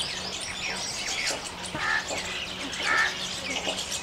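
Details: Small flock of Jungle babblers in open forest, mock fighting and grooming; loose harsh chatter with two clear whistled notes standing out, over a faint low hum.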